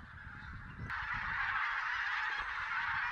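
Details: Massed wild geese in Silesia, recorded during a goose count on 11–13 November 2016, with Barnacle, White-fronted, Greylag and Bean Geese possibly present; after a quiet start with low rumble, loud overlapping honking suddenly swells and continues to the end.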